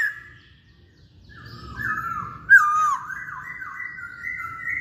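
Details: Lure song of a masked laughingthrush meant to provoke singing: starts quietly, then gives a sharp whistled note and continues into a long wavering whistled phrase that climbs gradually toward the end.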